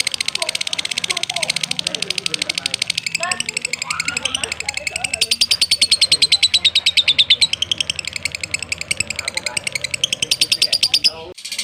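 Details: Long ngekek trill of a lovebird in a tutor recording for training birds. Fast high chattering pulses continue for over ten seconds beneath human voices talking in the background.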